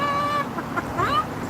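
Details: Pet Moluccan cockatoo outside on a sunny patio in the afternoon, giving his trademark 'bok bok' bark used as a joyful greeting; a sustained nasal tone followed by short broken honking notes, a man's voice nearby.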